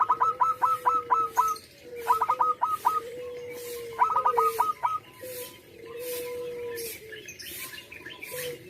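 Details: Strongly singing local zebra dove: three quick phrases of rapid, bouncy staccato coos, around six notes each, in the first half, then only a steady low hum and faint background chirps.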